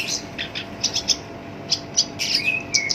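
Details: Kept black-browed reed warbler (kerak basi alis hitam) singing a rough song used as a lure for other songbirds: quick high clicks and chirps, then two thin level whistles near the end.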